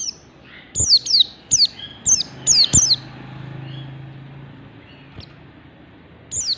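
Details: Mountain white-eye, 'ngalas' song style: a rapid run of five or six high descending whistles, then a quiet gap before a final note.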